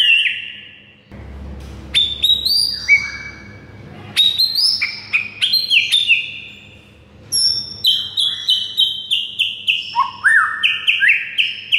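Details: Master song of a white-rumped shama, meant to rouse silent birds into singing, with bright whistles, upward and downward slides and a rapid string of repeated notes toward the end, over a low hum.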